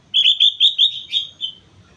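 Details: Sooty-headed bulbul on Mount Slamet in full, lively song: a quick chain of about seven bright, bubbling whistled notes over roughly 1.5 seconds, loud and clear above a faint low hum.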